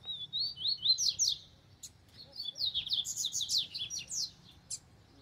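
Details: Wild double-collared seedeater near a cage, singing a lively, high-pitched series of rapid slurred whistles and twittering notes in two bursts separated by a short pause, with quiet low background noise.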